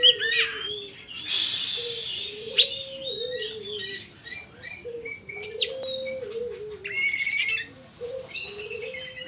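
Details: Oriental magpie-robin, kacer in gacor song, giving varied whistled phrases with upslurred notes and chattery bursts over a steady low whistled tone near 500 repeating throughout, likely another bird, plus a short noisy rush early on.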